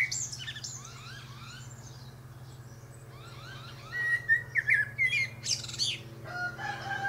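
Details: Perched high in a pear tree, a Common Blackbird delivers rolling fluty phrases. The loudest sweet warbling comes near the end with bright twittery flourishes, set against a steady low background hum.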